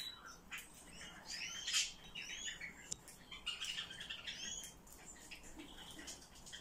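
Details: High, thin, upward-arching call notes from a Eurasian blue tit, given in small clusters with short gaps and a few sharp ticks between them.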